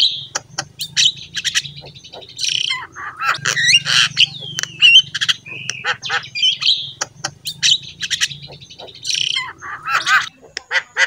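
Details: Energetic Javan myna song used as tutoring material for pet mynas, with loud rasping squawks, gurgles and brief whistled slurs in irregular bursts, and a low droning hum running beneath much of the recording.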